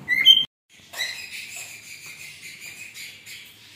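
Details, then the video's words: Cockatiel singing: a short bright chirp, a brief pause, then a continuous warbling, wavering run of high notes that slowly fades. "Cockatiel singing | Cockatiel Sounds"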